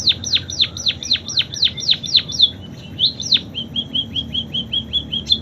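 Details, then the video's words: ['Munia with canary-style song imitations: a string of loud, sweeping downslurred whistles, then a gentler series of flat, evenly repeated short notes.'] "Burung PIPIT Full isian KENARI"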